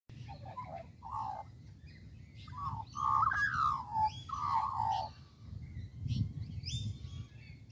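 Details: Australian magpie in a tree in Kings Park, Perth, Western Australia, giving rich fluted warbling phrases that swoop downward, loudest midway, with faint higher chirps from other birds and a low background rumble.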